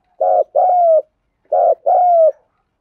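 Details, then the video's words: Spotted dove giving its 'thúc gù' coo: two paired phrases, each a short throaty burst followed by a longer, low, slightly falling cooing note. Quiet background. "Tiếng chim cu gáy thúc gù cực đỉnh"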